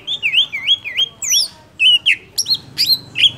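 Golden-fronted leafbird singing a rapid, varied run of bright, sweeping whistles and twangy slurred notes, several phrases a second, clear over a faint background hum.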